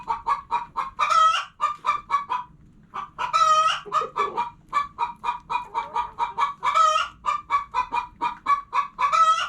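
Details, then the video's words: Rapid clucking from hens, interrupted every few seconds by longer, louder squawking cackles, with a short lull near the beginning and the clucks running on steadily between outbursts. "Hens Clucking Sounds Noises!"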